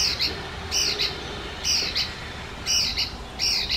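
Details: Icterine warbler, a mimic of other birds' voices and songs; harsh, squawky double notes with a bright high edge, delivered in bursts roughly once a second over steady background hiss.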